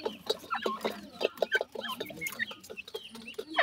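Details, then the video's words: Feeding grey francolin chicks with their family, giving rapid short clucks and squeaky peeps, some rising then falling, in an uneven busy stream. "teetar chicks feed,grey francolin bird family"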